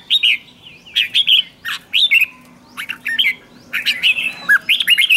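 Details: Red-whiskered bulbul lure song to bring in wild birds: sweet whistled phrases slurring downward, delivered in irregular bursts roughly thirty times a minute, quiet surroundings.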